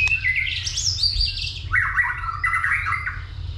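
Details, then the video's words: White-rumped shama fighting song in the 'dìu bổi' style, stimulated by a female. Rich gliding whistles climb high, then drop into lower, buzzy warbled phrases, over a continuous low hum. "Chòe lửa kích lửa DÌU BỔI,tạch liên tục đập đuôi kích chòe lửa lên lửa hót đấu"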